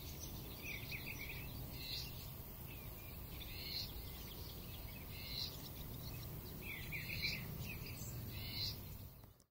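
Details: Ruby-throated hummingbirds at a sanctuary in Pomfret, Connecticut, in July, with bursts of high squeaky chittering notes in clusters every second or two over a steady low rumble.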